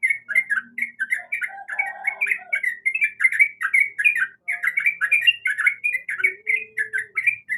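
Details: Sooty-headed bulbul female, in breeding condition, calls the male with continuous fast chattering of bubbly, squawky notes. A few faint, lower whistles are heard briefly behind it.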